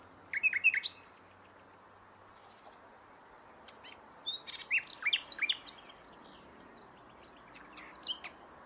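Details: Common nightingale in song: an opening phrase of rapid chirped notes, a silent pause, then a longer varied phrase of sharp rising and falling notes, with faint notes at the end.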